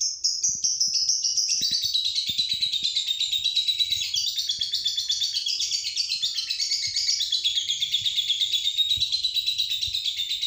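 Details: Lovebird used as a training lure song for other birds: a continuous, rapid, high twittering chatter of fast buzzy chirps, wavering up and down without pause, with faint low clicks beneath.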